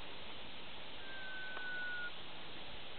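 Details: A Sunbittern beside a river in Brazil's Pantanal calls to another of three birds, the other two displaying at the river's edge: one long, thin, steady whistle of about a second, falling slightly, over constant hiss.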